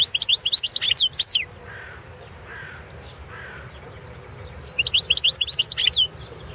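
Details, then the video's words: European goldfinch of the Balkan subspecies Carduelis carduelis balcanica, singing on a 2017 world championship internet competition recording: two bursts of rapid, bright twittering notes at the start and end, with soft lower chirps in between. "Pesma štiglića"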